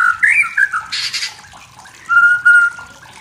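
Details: Wild white-rumped shama from the forest singing to provoke rivals: a few slurred whistles, a short harsh burst, a pause, then a long steady whistled note.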